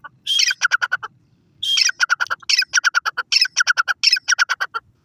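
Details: Grey francolin (teetar), male and female voice together: loud harsh phrases in three bursts. Each opens with a rough squawk and runs into a rapid even series of sharp, ringing notes. The background is quiet.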